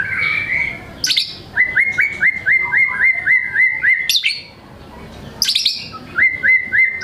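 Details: White-rumped shama repeating a quick series of clipped whistled notes, about eight in a row, broken by sharp high rattling bursts, then the note series resumes.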